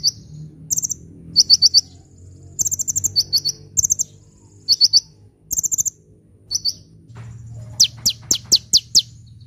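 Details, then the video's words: High sunbird song for attracting birds and prompting quiet birds to sing: sharp chirp clusters and fast trills, ending in a run of steeply falling, very high sweeping notes, with low hum behind. "SUARA BURUNG KOLIBRI GACOR‼️ [bisa buat pikat & yg males bunyi"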